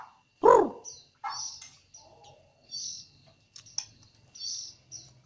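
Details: White-rumped shama of the Jambi type delivering canary-like phrases in its song. High, thin whistled and buzzy notes come in quick separate bursts, after one lower, louder note at the start.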